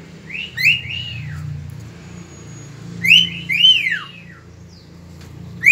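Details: Cockatiel singing at dawn, 3 September 2019: scattered arched whistles, some in quick pairs, spaced a couple of seconds apart over a steady low hum.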